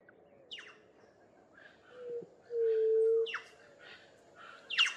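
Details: White-tipped dove, known locally as juriti-pupu, gives a single low, steady, hollow hoot lasting under a second. Short high chirps from other birds are heard before and after it.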